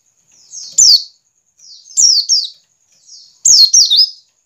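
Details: Three bursts of white-eye ngiriwik calling, used to stimulate caged birds: each is a quiet buzzy rise ending in two loud, piercing downslurred whistles, repeated roughly every one and a half seconds.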